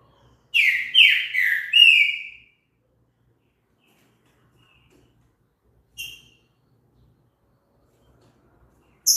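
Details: Green-winged saltator song used to stimulate another bird to sing: a quick phrase of four loud, slurred whistles, then silence broken by one short note and a faint clip at the end.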